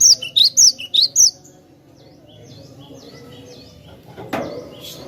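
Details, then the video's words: Cinereous tit (glatik batu) song used for luring birds: a quick run of six high, sharp whistled notes in alternating pairs, then quiet background with a faint knock. "suara merdu burung Glatik Batu Pas banget buat pancingan"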